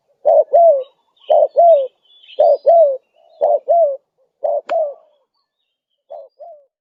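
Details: Persistent spotted dove cooing played to lure wild doves: paired low mellow notes, each pair a short coo followed by a drawn-out curved one, repeated roughly every second, the final pair fainter after a pause, one sharp click midway.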